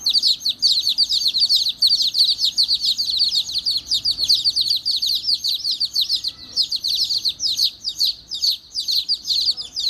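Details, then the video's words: Angry baby chicks producing a nearly continuous stream of shrill, overlapping peeps from many birds, about two or three calls per second, barely pausing throughout. "Angry Baby Chicks Chirping Sounds"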